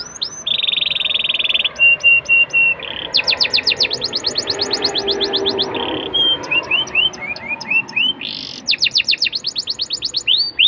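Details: Canary song used to prompt young canaries to sing fluently: a long buzzy note and flat tones, then rapid trills, a stretch of rising slurred notes and renewed fast trilling.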